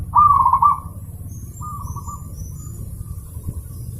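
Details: Zebra dove, recorded as a training master for pet birds, giving one loud pulsed coo phrase followed a second later by a softer, thinner trill, amid steady low background noise.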